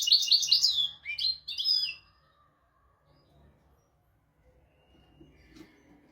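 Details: Goldfinch tutor recording, royal style, for training goldfinches and canaries: two seconds of loud, fast, bright twittering in short bursts, then near silence with faint background sounds.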